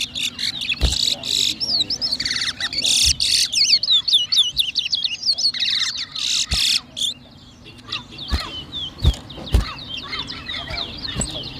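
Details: Competition song of towa towa seed finches in New Amsterdam, Berbice, Guyana, 2023: dense, rapid, high whistled notes sweeping up and down in long runs, with bursts of harsh noise early on and a few sharp knocks.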